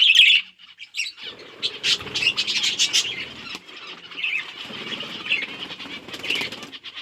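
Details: Several budgerigars eating seeds on 30 October 2023 chatter in quick, high chirps and scratchy warbles, with soft rustling and wing flutters beneath.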